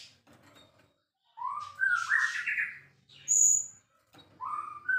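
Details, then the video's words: Champion white-rumped shama pouring out a rich rising whistled phrase with rough overtones, then a piercing high note and another rising whistle. "relaxing Bird sounds murai gacor juara"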